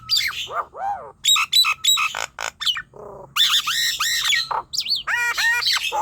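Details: Nias hill myna vocalizations used to prompt young, untrained or lazy-singing birds: sharp squawks alternating with clear arched whistles and buzzy notes, short bursts about three times a second, irregular pacing.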